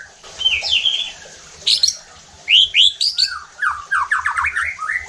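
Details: Provoking song of a white-rumped shama, used to make other shamas sing loudly: high fluty notes, then sharp upslurred whistles and a fast run of descending sweeping notes.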